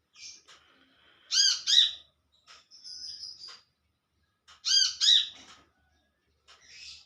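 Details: Olive-backed sunbird in the wild calling to its companions, giving doubled sharp harmonic notes roughly every three seconds, separated by faint high chatter and a thin drawn-out whistle.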